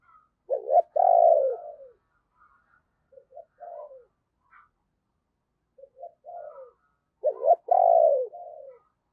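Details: Spotted dove kept as a lure, giving rushing and crowing calls to summon wild doves: two loud throaty coo bursts several seconds apart, with softer brief coos between.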